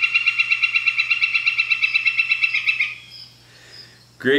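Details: Northern Flicker giving its long call, a long even series of loud ringing notes, about three per second for three seconds, then trailing off before a brief thump.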